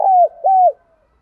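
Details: Spotted dove cooing, part of a sequence used to excite trained males: two loud, smooth, hollow coos, each held briefly and then sliding downward, followed by a faint trailing note.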